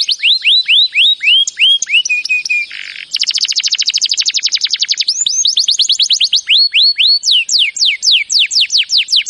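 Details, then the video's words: Canary training song with rapid descending swept whistles, a low buzz, a dense rattling trill, then slower series of loud downward-curving notes repeated about twice a second. "Birds song Canary ❗suara Burung Kenari"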